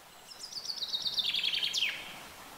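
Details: A single common chaffinch song phrase: a fast trill of bright notes sliding gradually lower, finished by a brisk falling flourish, with soft background hiss.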